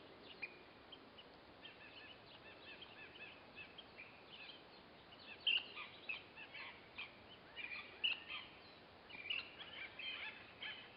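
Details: Ash-throated flycatcher (Myiarchus cinerascens) coming to a nest box to feed its young: short, burry chirps scattered irregularly, a few sharper notes standing out, over steady hiss; other cavity-nesting birds may also call.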